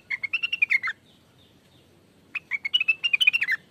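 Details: Lure recording of a greater green leafbird singing: quick strings of clear, slurred chirps and warbles delivered in two bursts separated by about a second and a half of silence, little other sound present.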